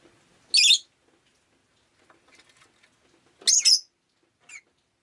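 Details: Rosy-faced lovebird, a pet bird, calling on a rainy day: two loud, shrill, buzzy chirps about three seconds apart, then a short faint peep, with quiet gaps between.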